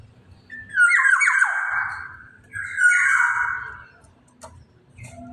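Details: Two rough, nasal downslurred squawks from a black-naped oriole, about two seconds apart, then a couple of faint clicks against a quiet low hum.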